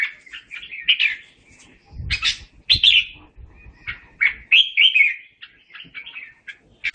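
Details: Red-whiskered bulbul calling the flock with song: short whistled, warbling phrases in separate bursts, some sharp rising notes, with a brief low rustling or fluttering noise near the second and third seconds.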